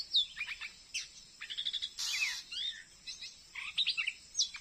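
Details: Wild Oriental magpie-robin in Indonesia, lured near a house in a new Dayak settlement and caught on a glue stick, still singing hard and challenging the decoy bird. Quick bursts of sweet whistled notes, some rising and some falling, with a brief rustling noise midway.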